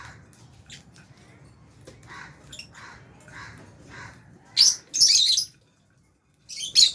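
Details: Aviary lovebirds, Albino and Fisher's, enjoying food with budgies; soft repeated chirps early, then loud harsh bursts of raspy squawking that stop abruptly, followed by a brief quiet gap and another burst.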